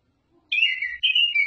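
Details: Oriental magpie-robin singing: two clear, high whistled phrases, the first sliding slightly downward, the second a bright held note, over near silence.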